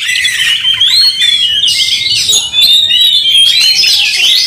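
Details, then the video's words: Agitated fighting Oriental magpie-robin: a dense stream of bright whistled notes, quick rising and falling slurs and harsh squawky phrases, loud throughout with one brief dip midway. "Kacer tarung bongkar emosi buka ekor dongkrak amarah bikin kacer lain tambah Garang"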